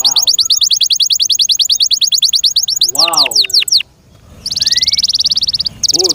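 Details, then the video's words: Kept canary singing: a rapid, even trill of high notes, then a run of steep downward slurs with lower arched notes beneath, a brief pause, and a long buzzy, rattling tour to the end. "THE BEST CANARI BIRD"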